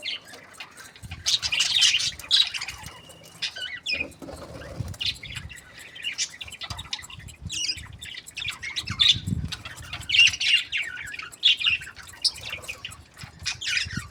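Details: Budgerigars chattering steadily, a long run of high squeaky chirps and trills with louder clusters every few seconds and a soft low background hum.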